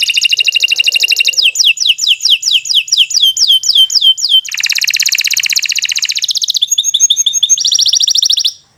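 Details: Canary in long song meant for tutoring other birds: a fast buzzy trill, a run of falling whistles, a loud sustained rattle, short chirps and a final high trill before fading.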